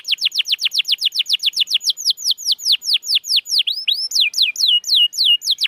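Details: Canary song played to prompt a lazy, non-singing canary into song: rapid series of clear descending whistled notes, slowing into longer curved and upslurred phrases, steady and loud throughout.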